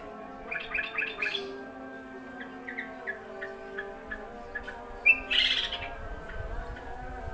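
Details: A wild yellow-vented bulbul, arriving while laundry was being hung out to dry, gives bubbly, chattering rolling phrases of short rising notes from about one to three seconds in, then scattered chirps and a loud burst near five seconds, during the afternoon call to prayer, over steady background hum.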